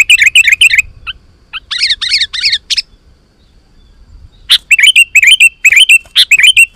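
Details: Sooty-headed bulbul singing to call wild bulbuls to respond; rapid bubbly chatter, a quieter stretch of grouped notes, a pause, then a renewed burst of quick warbled chirps.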